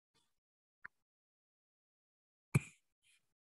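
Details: Near silence broken by a soft tick and one sharp knock or clatter, with no animal voice.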